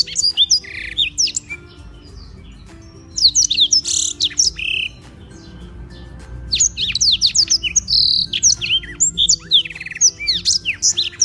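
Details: Energetic daily song of a black-throated canary from Beng, Gianyar, Bali, recorded to train other songbirds: bright, high twittering bursts with sharp up-and-down slurred notes, separated by brief quieter gaps, over a steady low background hum.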